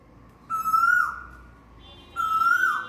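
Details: Asian koel in spring, perched in a guava tree in a home courtyard, eating guava and calling in the afternoon: two clear, mellow whistled notes, each swelling upward then dropping away, about a second and a half apart.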